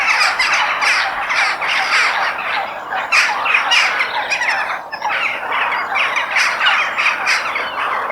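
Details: Crows in a natural outdoor setting giving rough, grating caws in rapid overlapping succession, a busy chorus of hoarse squawks with little pause between calls.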